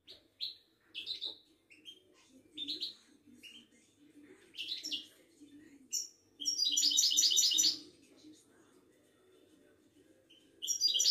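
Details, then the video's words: Ouidani goldfinch, a Moroccan type, at a Casablanca bird market. Sweet, high twittering phrases rise and fall, then build into a dense, fast tinkling trill. A low background murmur runs underneath. "طائر المقنين الزين او الحسون الويداني"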